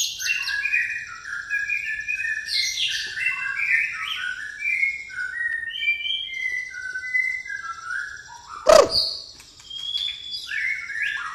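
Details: White-rumped shama of the pastol type, its song filled with fighting-sparrow (gereja tarung) material: varied clear whistled phrases and short chirps jumping between pitches, with one sharp loud click near the end.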